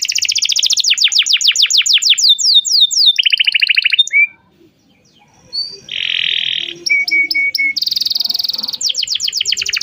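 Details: Canary song meant to coax a young canary into learning: quick repeated chip trills and buzzy rolls, a quiet pause midway with a few faint tones, then the trilling resumes.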